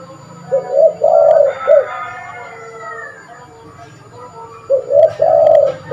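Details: Spotted dove cooing as a lure call: low three-part phrases of a quick note, a long rolling coo and a short ending, repeated after about three seconds, with a passing gliding whine in between.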